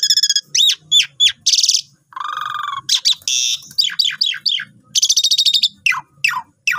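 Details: Asian pied starling singing nonstop as a training lure for new birds, mixing harsh buzzy notes, a low nasal bar, sweeping whistles and rapid stuttered trills.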